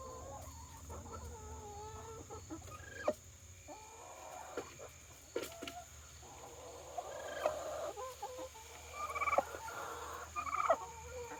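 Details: A pet domestic turkey hen, apparently reacting to her reflection as if it were another turkey, gives odd, wavering clucks and purring notes at irregular intervals, with a person's voice talking to her and a steady background hum.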